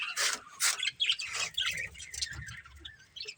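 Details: Pet budgerigars in a family group: two loud rasping chirps open, followed by softer broken twittering and scratchy chatter over a faint low rumble, ending on a sharp squeak.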